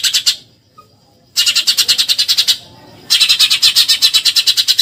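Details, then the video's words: Rattling 'tembakan nyerecet' chatter of a Eurasian tree sparrow: a short tail of chirps, a quiet pause, then two longer volleys of rapid, rasping high notes. "MASTERAN TEMBAKAN NYERECET BURUNG GEREJA"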